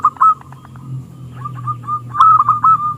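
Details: Local zebra dove singing in a small, clear voice to provoke rival doves: short loud stuttered coos and softer sliding notes over a noticeable low background hum.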